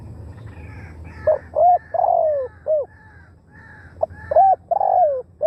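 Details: Decoy spotted dove calling to draw in wild birds, Thailand: two cooing phrases, each a few short soft notes and a drawn-out falling coo with a final clipped note, repeated after about a second's pause. Faint low rumble behind.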